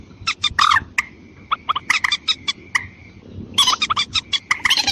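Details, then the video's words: Lure recording of a white-breasted waterhen, meant to bring in both sexes: quick groups of short, raspy notes with a drawn, wavering squawk near the start, over a steady faint tone and low background noise. "Pikatan burung mandar ayam ayaman betina dan jantan"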